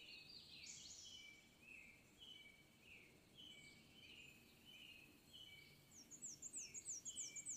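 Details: Black-and-white warbler singing: a fast series of very high, thin two-part squeaky notes repeated rapidly near the end, preceded by scattered higher and lower chirps from other birds over faint background hiss.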